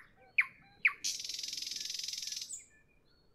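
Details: Two loud sharp downslurred whistles from a nightingale at evening, followed by a long rapid buzzy rattle of even pulses lasting about one and a half seconds.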